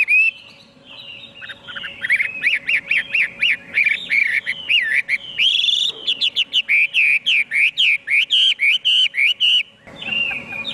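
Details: Chinese hwamei song building from soft whistles into a fast series of repeated rising slurs, several per second, with a brief harsh note near six seconds and a continuous varied stream afterward.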